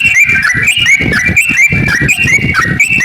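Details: Sooty-headed bulbul song meant to trigger other bulbuls into singing: continuous chattering, bubbly whistled notes in quick succession over steady low background noise.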